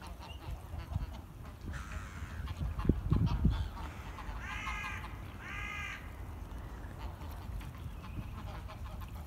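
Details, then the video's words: Flock of greylag geese on the River Esk in Musselburgh. Two nasal, layered honks follow each other closely near the middle, with faint scattered calls around them over a steady low outdoor rumble. "Graylag Geese On The River Esk"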